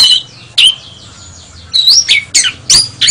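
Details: Oriental magpie-robin (kacer), a national champion songbird, giving loud, sharp, high notes in separate bursts: a rising whistle, a drawn-out buzzy note, then quick harsh squeaky phrases with short pauses between them.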